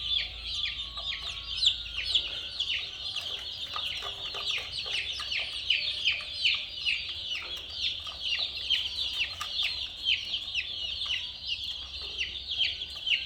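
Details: Colourful domestic chicks in a crowd, chirping nonstop; shrill, quick descending peeps overlap into a steady high chatter, with a few sharper cheeps standing out.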